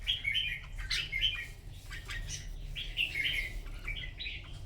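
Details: Red-whiskered bulbul singing in a morning contest: short warbled, whistled phrases in quick succession, fairly faint over a steady low hum.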